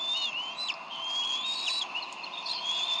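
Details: Bald eagle pair at the Decorah nest, 30 May 2012, bickering over a fish the male brought while the eaglet waits. Drawn-out piercing whistles slur up and down, with short sharp chips between them.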